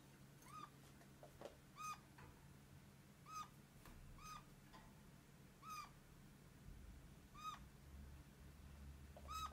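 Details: Red-crowned parakeet kept as a pet, its voice likened to a complaining squeak or a small kitten's mew: about nine brief, ringing notes, each bending down at the end, irregularly spaced against a faint room hum.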